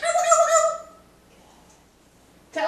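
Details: Trained African grey parrot living in a home in Texas, hatched in 1997, giving an imitated turkey gobble on cue after a woman asks if it is a turkey: one quick warbling, rattling burst of about a second, then quiet and a voice starting.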